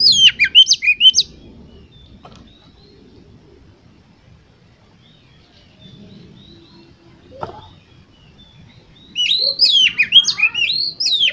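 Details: Oriental magpie-robin lure song for contest birds: a brief burst of whistled sweeping notes, then about eight seconds of near silence with a faint click, then another lively phrase of sharp rising and falling whistles.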